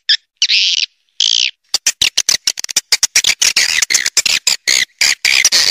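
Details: Swiftlet roosting call of the Triple Queen style: two drawn-out buzzy notes open, followed by a dense, uneven run of shrill twittering chirps and clicks.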